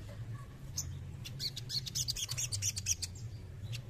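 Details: Male crested jay: after a quiet start, a quick string of sharp chattering clicks and squeaky notes builds and fades, with low background hum.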